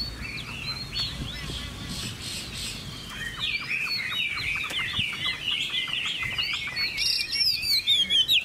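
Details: Chinese hwamei, a captive bird sold by a Vietnamese dealer, singing a continuous run of varied whistled and slurred phrases that grow louder and more rapid toward the end, over a steady background hiss.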